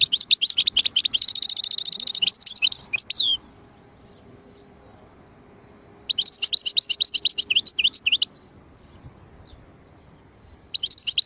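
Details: Captive Algerian European goldfinch singing in Moknine, Tunisia, 2022: bursts of bright, rapid twittering notes with a brief trilled run, phrases lasting two to three seconds separated by several seconds of quiet.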